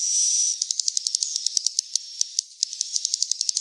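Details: Swiftlet chicks, recorded as a lure to draw swiftlets to roost: one long high hiss, then a rapid train of short, sharp, high clicking chirps repeated several times a second.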